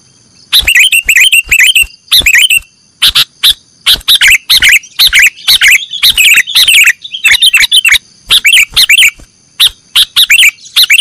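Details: Sooty-headed bulbul in nggaruda song style, for cage-bird training: long, dense stretches of fast, chattering, whistled phrases broken by brief pauses, energetic and varied throughout, over a faint constant high hum.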